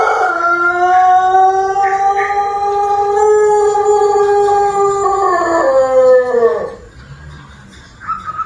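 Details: Pelung chicken, an Indonesian breed from Cianjur, West Java, kept as an ornamental bird, giving one long, melodious crow. It holds a steady, rich, harmonic tone for about six seconds, then slides downward and fades, with a short faint call near the end.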